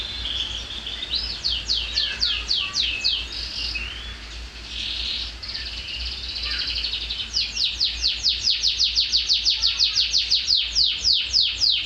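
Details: Shrill song of a canary still bald on the neck, not yet in full condition: fast rolling trills of rapid high sweeping notes, several per second, a pause of softer twitter in the middle, then a long loud repeated trill over low steady hum.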